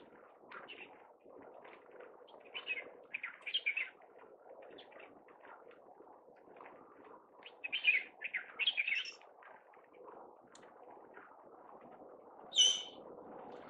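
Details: An Alexandrine parakeet under a blue sky in Hong Kong gives harsh, raspy screeches in scattered bursts, some doubled, with a sharp louder squawk near the end over a steady murmur of background noise.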